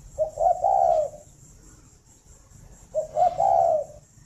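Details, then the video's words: Spotted dove kept at a dove breeding farm near Hanoi, Vietnam, heard in the morning: two mellow cooing phrases about three seconds apart, each opening with quick clipped notes and ending in a drawn-out rolling coo. "tiếng chim cu đẻ"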